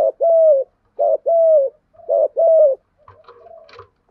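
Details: Cooing of male and female spotted doves, recorded for training decoy birds. Three paired coos, each a clipped note and then a smooth, slightly falling one, come about a second apart. A faint rustling and scraping noise follows near the end.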